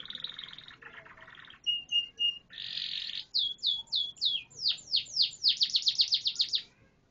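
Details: Canary in full varied song: a harsh buzzy tour, short repeated notes, a dense rattle, then a long accelerating series of steeply falling whistled sweeps that ends abruptly.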